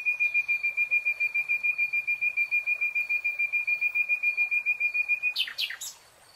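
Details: Nightingale in song within a lush green forest, delivering one long steady series of identical clear notes, about seven each second for over five seconds, ending in a short harsh flourish.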